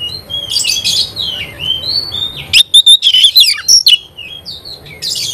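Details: Oriental magpie-robin (kacer) in full voice, soft sweeping whistles giving way to a loud rapid burst of sharp repeated notes and clear whistles, then softer phrases.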